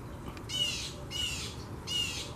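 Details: A broad-winged hawk eating a dove in a garden's tree canopy, 9 June 2021, gives three harsh, high, squealing calls with a thin whistled core, about one every 0.7 seconds, over a quiet low outdoor rumble.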